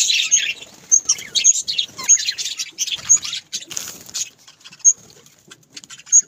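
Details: Budgerigars chirp in short bursts and twitters. Several sharp, high clicks stand out, and the chatter thins toward the end, where there are quiet gaps between isolated notes.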